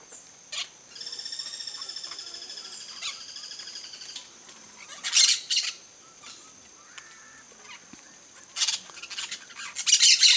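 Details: Yellow-chevroned parakeet (Brotogeris chiriri) in a coconut palm gives harsh, high screeching bursts, some short and some drawn out, with a thin buzzy trill between them.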